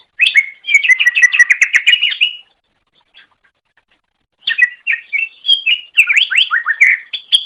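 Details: Long-duration master song of a cucak ijo (green leafbird): a fast two-second run of rising chirps, nearly two seconds of silence, then varied slurred whistles and twitters.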